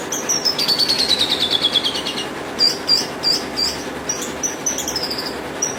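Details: Horsfield's bush lark song opening with a long, slowly descending, rapidly pulsed high trill, then scattered sharp high chirps and brief whistled slurs with short pauses between them.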